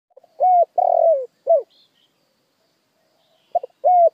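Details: Spotted dove lure song: two phrases of a short note, a rising coo, a long warbled coo falling away and a final arched coo, separated by a silent gap.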